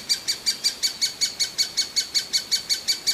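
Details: Hungry great spotted woodpecker chick begging: a rapid, very even series of sharp, high-pitched chirps, about five per second and seventeen in three seconds, each call short and bright, steady in loudness, with no other clear sounds.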